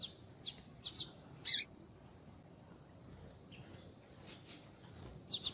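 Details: Female double-collared seedeater (Sporophila caerulescens) chirps, used to stimulate males to sing: short, high chirps in a few quick bursts, with a pause before a last pair of notes.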